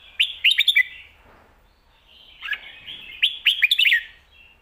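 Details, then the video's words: Caged competition red-whiskered bulbul singing clearly in the lak wai and mae bot song styles. It gives two bursts of quick, loud, fluty warbled notes about three seconds apart, with soft trailing notes between them. "ลากหวาย+แม่บท สลับวางเพลงชัดๆ นกแข่งอาชีพ"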